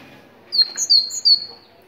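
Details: Single phrase of four clear, high whistled notes from a Moroccan tit, alternating between two pitches, sung to stimulate other tits to sing.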